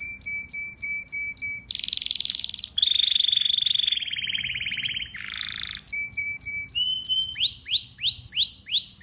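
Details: Pet domestic canary song: repeated bright two-part notes give way to a hissing high buzz, then a long rapid rolling trill, a lower warble and a series of rising, swooping whistles repeated about twice a second.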